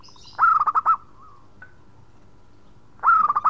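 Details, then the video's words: A local zebra dove sings a khong-type phrase to call its companions. Two loud, quick clusters of pulsed coos are separated by a quiet pause, with a faint high chirp at the start. "Perkutut Lokal Gacor Suara Khong crewet panggil teman."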